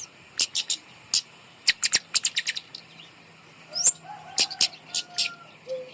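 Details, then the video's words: Kemade bird placed up high as a lure for birds reluctant to sing: bright high chirps in quick runs, a pause, then more chirps mixed with faint lower whistled tones. "gantang burung kemade di atas untuk pancingan burung malas bunyi"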